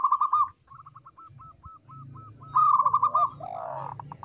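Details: Local zebra dove in full song, its voice small, clear and sweet, chosen as a lure. Spaced, hooked notes build into a rapid, rolling, trilled phrase over a low background hum, with a fainter, lower cooing after.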